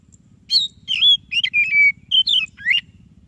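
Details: Song of a white-rumped shama (kacer dada putih) meant to coax a reluctant bird into singing: a short burst of bright whistled notes, slurred and warbling, with a steady low hum in the background.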